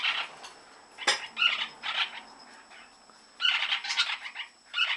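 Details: Lineolated parakeet (Bolborhynchus lineola) calling during breeding season: bursts of rapid, scratchy, chattering chirps in three or four clusters, with short pauses between them.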